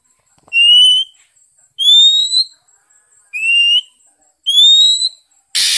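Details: Oriental magpie-robin song from Vietnam, used to stir other birds into singing: clear rising whistles, each about half a second long, repeated roughly every second and a half, ending in a loud burst of noise.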